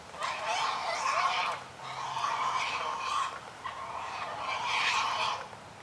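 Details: Great Blue Herons at a feeding frenzy with a chick make a loud racket: three long bursts of harsh, raspy chattering, each lasting over a second with brief gaps between.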